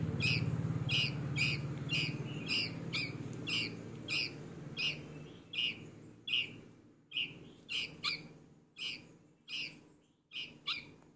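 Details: Baby red-vented bulbul calling with bright, clipped chirps repeated roughly every half second; a low hum fills the first half, then the calls stand out in quieter surroundings.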